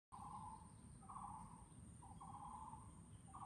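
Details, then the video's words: Taiwan barbet calling at Chunghsing New Village, Nantou, Taiwan, on 12 April 2018: hollow, low-pitched notes in a two-part pattern, a short lower note leading into a longer steady one, repeated about once a second, over low rumbling background noise. "sound of Taiwan barbet 五色鳥叫聲"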